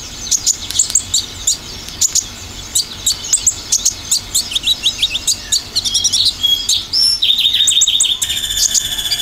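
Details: Lure song of an Olive-backed sunbird, mostly 'tembakan' style: quick high staccato chirps and slurred notes, building into a fast trill and a brief buzzy, dense ending.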